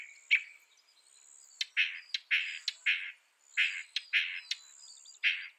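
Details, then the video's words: Northern mockingbird giving harsh, rasping, buzzy notes at irregular intervals, mixed with sharp high clicks, against quiet background hiss. "Northern Mockingbird Bird Sound Bird Song"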